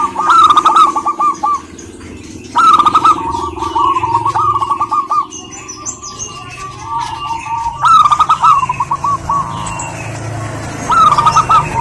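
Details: Female local zebra dove from Indonesia calling a male: loud rolling coo phrases recurring every two to three seconds, linked by softer drawn-out coos, with faint higher chirps of other birds.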